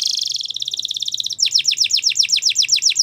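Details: Gloster canary in song, a rapid rolling trill giving way to a steady series of bright descending whistles, roughly five per second.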